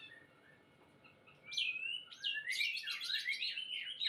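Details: Caged White-rumped Shama (murai batu) in song conditioning bursts into rich, varied whistled phrases after a quiet start, with rising slurs and quick, fluty notes tumbling together.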